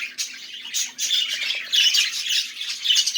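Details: Short budgerigar warble of gritty chirps and squawky notes, starting somewhat softer and becoming louder and fuller in the second half.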